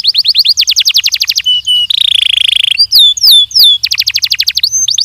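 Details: Training song of a Belgian canary, loud and varied: rapid high trills, a sustained buzzy rolling phrase, sharp descending whistled slurs, then a return to quick repeated trilled notes.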